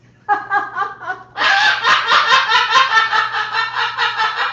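Moluccan cockatoo imitating human laughter: a run of quick, pulsed 'ha-ha' notes, then a louder, harsher, rasping cackle repeated rapidly in a small room.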